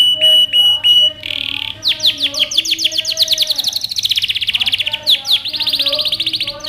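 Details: Yellow canary singing on a training recording for young birds: steady whistled notes, a buzzy burst, then rapid series of descending chirps rolling into fast trills, a brief pause, and more trilled phrases.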